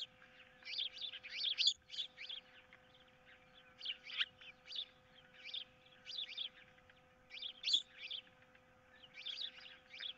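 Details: Ospreys at a nest on 15 April 2023, one holding a fish that its mate wants, with an intruder in the area: bursts of high, thin chirping whistles in clustered phrases, separated by short pauses, over a steady low hum.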